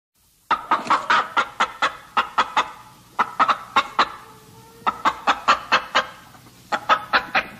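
A chicken clucks in quick runs of short, sharp notes, about four or five a second, with brief pauses between runs.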